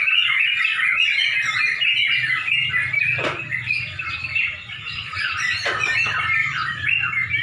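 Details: Songbird contest in Pemalang shortly before dusk: a steady wall of chattering, liquid bulbul song from many caged Yellow-vented Bulbuls, with a low hum of people and background rumble.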